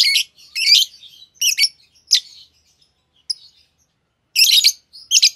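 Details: Green Fischer's lovebird pair, a kind known for long-duration songs and favoured in Indonesian bird song competitions; harsh, buzzy chirps in short bursts separated by brief pauses, high-pitched and scratchy.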